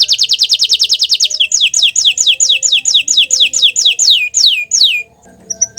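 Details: Bottle-green canary in song, opening with a fast rolling trill of high descending notes that slows into spaced, sweeping down-slurred whistles, ending in near quiet.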